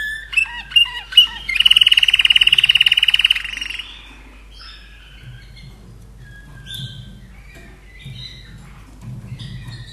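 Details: Captive common nightingale kept in Austria, hatched in 2011, singing a short song: a few sharp notes, then a fast, rattling trill of evenly repeated high notes lasting about two seconds, followed by scattered soft whistles over a low hum.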